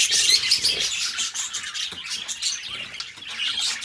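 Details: Pet budgerigar pair chirping, bright high twittering with a few clear whistled squeaks at the start, then rapid scratchy chatter that softens midway and picks up again at the end.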